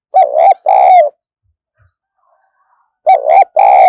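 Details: Decoy spotted dove calling very vigorously, used to provoke wild doves: two pairs of loud, throaty coos with a wavering tone and a short dip between notes, separated by nearly two seconds of silence.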